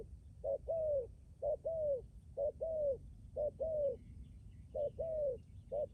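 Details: Spotted dove kept as a decoy, Lâm Đồng, Vietnam, cooing steadily: a clipped note followed by a drawn-out downward coo, the pair repeating roughly every second over a low background hum.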